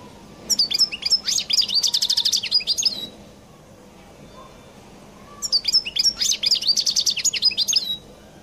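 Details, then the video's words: A European goldfinch of the Collo type from Algeria sings two phrases of about two and a half seconds, separated by a pause. Each phrase holds fast liquid twittering with a rapid trilled middle section. "تغريد حسون القل المميز"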